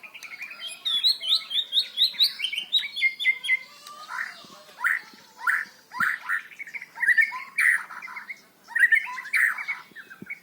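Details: Long, loud stretch of white-rumped shama song meant to prompt young birds to sing: rapid high twittering notes, then a steady series of rich, bubbly whistled phrases repeated about once a second.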